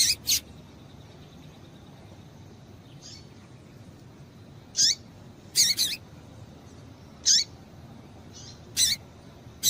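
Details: Female double-collared seedeater call used to excite males into singing; harsh, broadband buzzy chips with falling tails, single or paired, repeated every one to two seconds over faint hiss.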